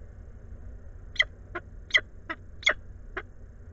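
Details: Peregrine falcon at its nest at Anwil in Włocławek, with food being delivered, 17 May 2022 at 14:56; six harsh, raspy calls, alternating loud and softer, about half a second apart over a low steady hum.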